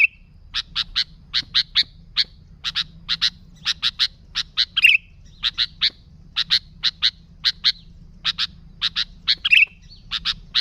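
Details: Sooty-headed bulbul in lively 'gacor' form, kept free of other birds' phrases to attract bulbuls: a long, steady series of crisp paired and tripled chips with a few harsher squeaky notes mixed in.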